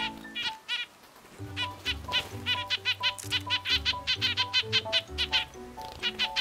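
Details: A nuthatch, a regular visitor, voices its annoyance while waiting for food on a messy winter day just after New Year; fast run of nasal, harmonic quank notes, two or three a second, agitated and insistent, over soft background music.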